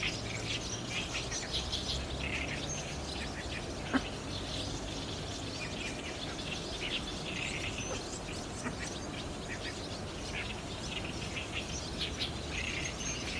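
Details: At a barn swallow roost on a cloudy evening gathering, 30 June 2019, recorded with a DSLR: a busy chorus of high twittering chirps from a large flock, one sharp louder click near four seconds, steady low background rumble throughout.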